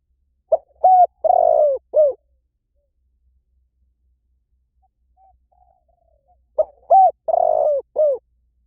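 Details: Two identical four-note phrases from a spotted dove, each made of a short note, a coo, a long purring roll and a falling coo. About four seconds of quiet separates them, with only a faint murmur in the gap.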